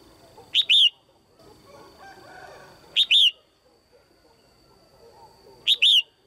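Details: Female red-whiskered bulbul, kept in a cage, calling clearly to stimulate males or pair: three high, bright two-note chirps about every two and a half seconds, the second note dropping, against soft murmuring.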